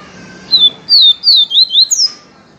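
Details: Pure viviti-style song of a yellow-bellied seedeater: a short run of bright, downward-slurred whistles, delivered rapidly, with a final higher falling note and near silence around it.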